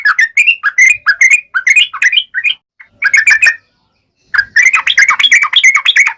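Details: Chattering ngalas tajam song of a yellow-vented bulbul, played to set other bulbuls singing. Quick bubbly phrases come in bursts, broken by two short pauses near the middle.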